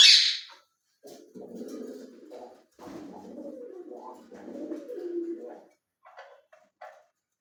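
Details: An indoor ring-necked parakeet opens with a harsh, loud screech. It then runs into several seconds of muttered, voice-like talking, ending in a few short clicks and squeaks.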